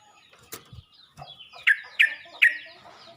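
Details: Yellow-vented bulbul calling to other bulbuls: three sharp, bright chirps about half a second apart in the second half, after soft rustling and faint background sounds.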